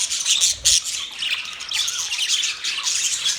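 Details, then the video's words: Budgies, a group of pet parrots, chirping and chattering: a dense, continuous stream of scratchy, buzzy warbles and squeaky high notes that swells and fades for over three seconds without a pause. "Budgies Parrot Talking sound Bird Chirping sound"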